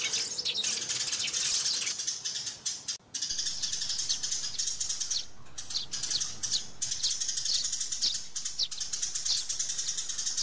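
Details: Sparrows chattering to call others down and fighting, heard as a steady wash of sharp, high chirps from many birds with a short break near three seconds.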